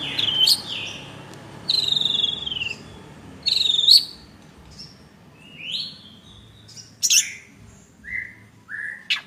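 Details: Long-tailed shrike giving a varied song of short whistled and slurred notes, some falling and some sharply rising, spaced out by pauses of one to two seconds.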